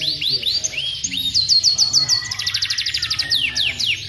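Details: Vigorous canary song, used as master audio to stimulate singing: upslurred whistles, then a fast roll of high repeated notes, a buzzy trill and rising slurs at the end.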